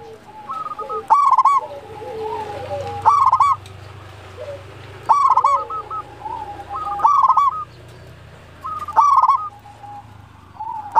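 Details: Zebra dove of local stock, a strong singer, giving its bubbling cooing phrase roughly every two seconds, each burst loud and stuttering, while fainter low coos from other doves and a soft rumble fill the gaps.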